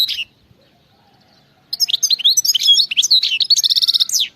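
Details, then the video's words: European goldfinch in khalawi-style song: one brief chirp, a quiet gap, then a long, lively stream of high, liquid twitters and whistles that ends in a fast, rattling buzzy trill, against a clean, quiet background. "singing carduelis"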